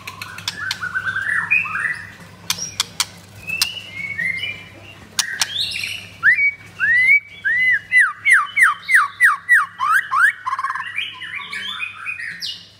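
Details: Blorok-type white-rumped shama, ringed and kept at a kiosk in Kemayoran, Jakarta, opens with varied chattering phrases and sharp clicks, then delivers a fast series of about ten rising whistled notes; soft background hum.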